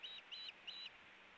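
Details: Ospreys at the Hellgate nest during a tug-of-war over a fish, 4 August 2018: three short, high whistled chirps, each about a fifth of a second, with steady background hiss.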